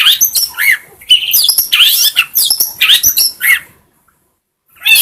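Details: Long-tailed shrike singing for training other birds: quick burst of harsh chirps and rising whistles for about four seconds, then near silence before the song restarts.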